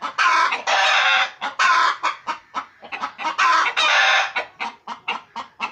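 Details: Clucking from pet chickens kept at home: long, loud, grating squawks alternate with fast strings of short staccato clucks, the pattern repeating twice before ending in rapid clipped notes.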